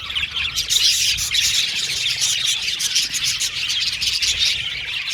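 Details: Budgerigar colony calling in an aviary: loud, dense high-pitched chirping and scratchy warbling from many birds at once, unbroken through the whole stretch.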